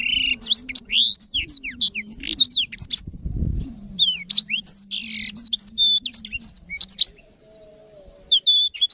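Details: Clear-voiced, very active Black-throated canary song used as a tutor recording for canaries: a fast, high run of sweet, varied chirps and slurred whistles in quick bursts, with a low steady hum beneath.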